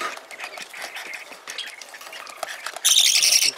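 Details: Parakeet chick during feeding, a hand-tame pet in Fukuoka, Japan. Faint clicking and rustling feeding sounds give way to one loud, harsh, rasping begging squawk near the end.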